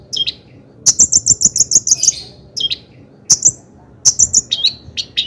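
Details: Long-tailed shrike singing in excited form, a lure to provoke other shrikes to sing; quick runs of bright, high clicking notes about five per second, separated by pauses, with brief whistled fragments.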